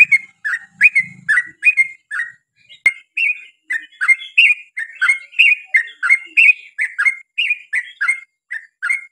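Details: Yellow-vented bulbul singing, played to coax bulbuls of the same kind to sing along: lively bubbling whistled notes in fast, uneven bursts, phrases repeated many times with brief gaps, a low hum briefly at the start.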